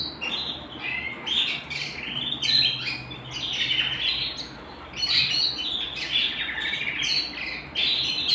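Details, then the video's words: Canary singing at home indoors: bright warbled phrases in short bursts, with varied chirps and quick trills separated by brief quieter gaps. "canary singing at home"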